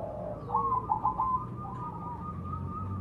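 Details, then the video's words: Majapahit zebra dove lure song, fairly faint: a short burst of quick, bubbling coos followed by a drawn-out, wavering tone, against steady low rumbling noise. "Suara Perkutut Majapahit Asli Pancingan Cepat Bunyi"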